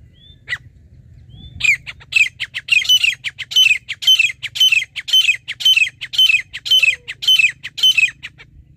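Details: Grey francolin, known locally as teetar, recorded during a partridge hunt: loud, harsh, squeaky notes repeated in an even series about twice a second, building after a short pause, with a quiet background.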